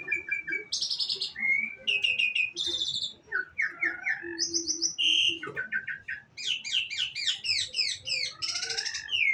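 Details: Songbird delivering a rich, varied song of high whistles, buzzy chatter and rapid trilled phrases, jumping between sharp, bright notes with hardly a pause, over faint low background rumble.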